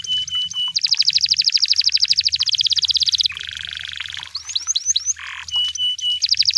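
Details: Canary song in the wild: high piping notes lead into a long fast metallic trill, then a lower buzzy roll, a few sweeping slurred notes and a short burr, rapid and varied.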